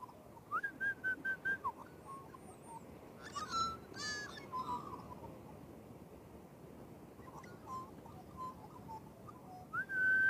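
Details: Magpies singing: short flat whistled notes repeated in quick bursts, then rich warbling phrases with slurred high notes, a quieter stretch, and a final rising whistle.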